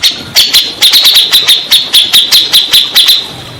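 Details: Grey-cheeked bulbul song used to coax stressed caged birds into singing: a quick run of evenly spaced sharp, high notes, about four per second, over a steady high tone.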